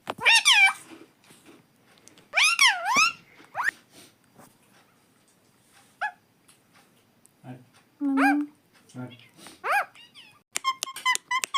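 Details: Nonstop talking pet parrot: loud wavy harmonic utterances early on, followed by scattered short squeaks, a few lower sounds and a burst of sharp clicks at the end, with quiet gaps between.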